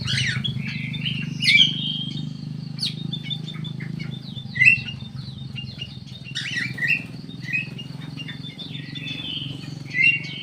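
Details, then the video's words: Ruby-throated bulbul in an aviary in Indonesia, giving short clear whistled phrases spaced a few seconds apart, with soft chirps between them and a steady low engine hum behind. "KUTILANG EMAS"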